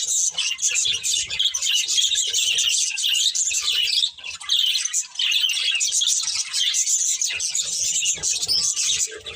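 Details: Breeding pair of budgies giving constant high twittering mixed with harsher squawky chirps, one short pause midway, and soft low rumbling and knocks in the background.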